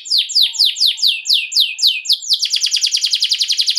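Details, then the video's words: Canary lure song meant to get other canaries singing: repeated, loud, downward-slurred whistles, about five a second, then a faster, even, high, buzzing trill. "KENARI MANA YANG NGAK AKAN RESPON, DENGARKAN PANCINGAN KENARI NGEROL INI"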